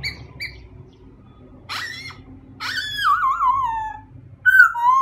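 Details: A white-crested laughingthrush gives two short soft notes, a rising squeal, then a long wavering whistle that falls gradually, followed by a loud clipped note; a low hum persists throughout.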